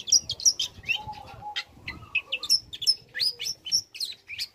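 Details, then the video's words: Young long-tailed shrike singing to provoke other shrikes: quick run of sharp high chirps, upslurred whistles and squeaky notes about three per second, over soft low background noise and a faint steady whistle. "Cendet Muda Gacor Belajar Materi Bikin Cendet Manapun Auto Nyaut Emosi Ikut Bunyi"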